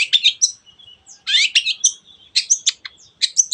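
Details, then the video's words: Bursts of squeaky, buzzy, high notes from a long-tailed shrike in full 'teot teot' song, separated by short gaps, used to provoke other birds into singing. "cendet gacor teot teot"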